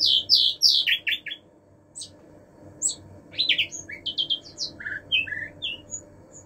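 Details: Common nightingale singing varied phrases: loud high buzzy notes, then a quick descending group, isolated sharp chips and a run of fast stuttering notes ending in lower whistled slurs, with a faint low hum beneath.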